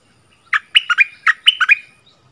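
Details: Bulbul in a song duel with a new resident bird at its old territory, 3 February 2021: two short phrases of throaty, bubbling notes, each of four quick syllables.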